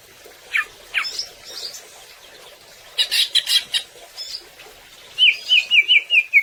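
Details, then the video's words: Greater green leafbird in gacor singing form, used as a training song to spur other birds to sing; scattered high chirps and short whistles, then a fast run of six quick bouncing whistled notes near the end. "Suara Cucak Ijo Gacor Agar Burung Ngobra dengan Penuh Kekuatan"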